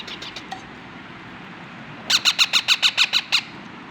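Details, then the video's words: Parrot chicks hand-fed on roti (chapati) by a breeder of ringneck parakeets: a quick series of about nine harsh, rasping squawks with a steady, evenly spaced rhythm. Before it come faint, scattered chirps over a constant background hiss. "How i Hand Feeding little Parrot babies?"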